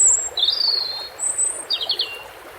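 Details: Clear European robin song phrase of very high thin whistles, a long descending slur, then a quick run of falling notes, over soft running water.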